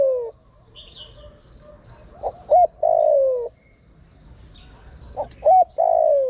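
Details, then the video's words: Spotted dove calling to draw in wild birds: repeated phrases of two brief hoots followed by a long descending coo, spaced about three seconds apart, over quiet background chirps of small birds. "Chim cu gáy gọi hay kích bổi nhanh nổi"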